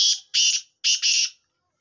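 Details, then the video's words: Black francolin, the desi kala teetar, calling: harsh, grating bursts in a rhythm of one short note, then a longer double one, repeated after a pause, over a quiet, clean background. "Kale teetar ki awaz black francolin ki awaz"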